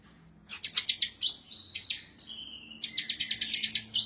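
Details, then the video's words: Bar-winged prinia giving excited rival-seeking song: a run of bright chirps, a short flat whistled note, then a long rapid chatter of high notes to the end. "Ciblek Semi, Gacor nembak ngebren ngotot emosi"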